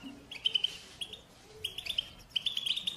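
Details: European goldfinch chicks begging their parents for food: bursts of high, thin, insistent chirps in quick runs, separated by short quiet gaps.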